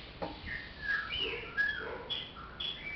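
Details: Chopi blackbird singing: a few soft, clear whistled notes at varying pitches, some sliding down and others held briefly, spaced about half a second apart over a quiet background.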